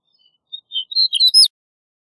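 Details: Soft, thin notes swell into a louder burst of quick, high-pitched chirps and warbles as a snow bunting sings, ending abruptly.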